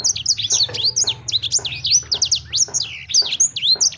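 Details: Continuous lively bird song of rapid, high, looping whistles and chirps in short clustered phrases, dense and unbroken throughout, over a faint low hum.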